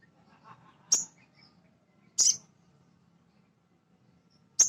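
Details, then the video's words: Male sogon singing as a prompt to excite and train other birds: three piercing high notes, each a brief downward slur, separated by gaps of over a second, over soft background rustling. "Suara Sogon jantan asli"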